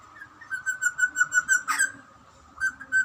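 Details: A wild young grey butcherbird calls toward a person; a run of clear, even whistled notes repeats about six times a second, broken by one sharp harsh burst, then a few more whistles.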